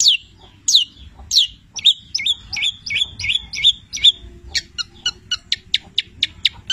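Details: Long-tailed shrike of the 'petir' kind, tutor song stuffed with labet and canary mimicry: a few high downslurred whistles, a bouncing run of twittered notes, then a fast string of crisp chips.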